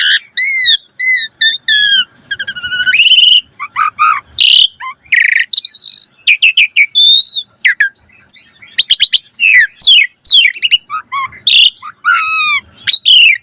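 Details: Asian pied starling pouring out a long varied fill-in song as a master recording: repeated falling whistles, a rasping trill, sharp clicks, buzzy bursts and swooping high notes in a continuous stream.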